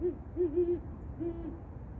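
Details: Great horned owl recorded on 24 December 2023 giving deep, soft hoots: a single short hoot, a quick run of three, then a longer drawn-out hoot, over a low background rumble.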